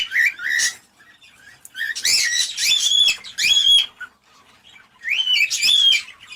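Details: Cockatiel call used to prompt mating: clear whistled phrases of upward-sweeping notes, some wavering, delivered in three separate bursts with quiet gaps between them.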